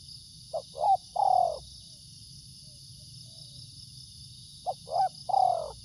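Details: Spotted dove calling, wary of the camera: two phrases of three coos each, two brief notes followed by a longer falling coo. The phrases are separated by about four seconds, over a steady high electronic-like hum.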